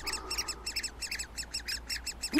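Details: Great spotted woodpecker nestlings in a tree cavity, as a pine marten raids nearby nests amid bird alarm calls, give a harsh, high, rasping chatter, short bursts repeated about four to five times a second, over a faint low hum.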